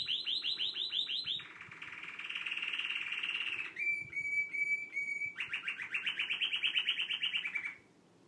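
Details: A canary sings in sustained tours: a quick series of high repeated notes, a long buzzy roll, rapid pulsed chips around a steady whistled tone, then another fast trilled roll before it stops abruptly, with a faint low hum beneath.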